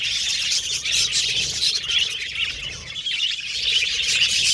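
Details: Australian pet budgies chirping and chattering together: a dense continuous wash of high warbling and twittering from many birds, with no pauses.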